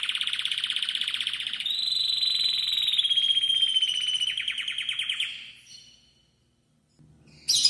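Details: Spanish canary singing intensely and very loudly: a long, fast, rattling high trill that shifts pitch slightly, runs for about five seconds, then fades into silence before a brief final burst.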